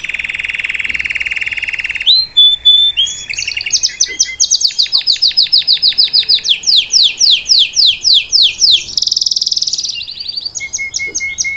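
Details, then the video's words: Salsa canary sings to train a young bird; opens with a dense low rolling tour, then sweeping high trills of separate descending notes, a buzzy stretch, and short soft whistles at the end. "Melhor canário salsa cantando para ensinar seu filhote a cantar/salsa canary singing live"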